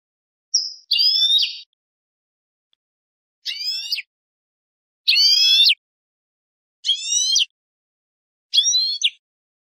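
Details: European goldfinch giving basic song phrases: short, high, buzzy twittering bursts of rapid stacked notes, one phrase roughly every one and a half seconds with clean silence between, opened by a brief thin whistle.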